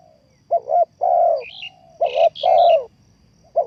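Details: Trapping lure recording of a spotted dove: two mellow coo phrases, a short doubled note then a sustained coo, with thin high chirps from another bird overlapping the second phrase.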